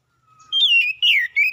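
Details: Oriental magpie-robin song used as a lure to draw an immediate reply: a faint low whistle, then loud clear whistled phrases that dip and rise, in three quick bursts.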